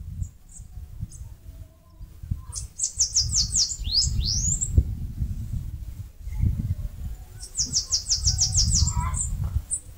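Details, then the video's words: Bananaquit singing as it builds a nest on a mandacaru cactus in northeast Brazil. Scattered high chips lead into a fast buzzy note series with swooping ends. A second similar trill follows four seconds later, over low rumbling noise. "CANTO do CAGA-SEBO (SIBITE, CHUPA CAJU..)"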